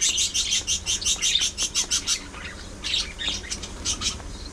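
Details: Pet budgerigars, playful parakeets chirping and singing: a rapid run of bright, evenly spaced chirps about six a second for two seconds, then looser scattered twitters and squeaks.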